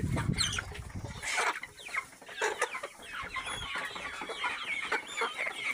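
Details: Local chickens giving soft clucks and short chirping notes from several birds at once, with a low rumbling thump at the start and a busy, overlapping farmyard chatter throughout.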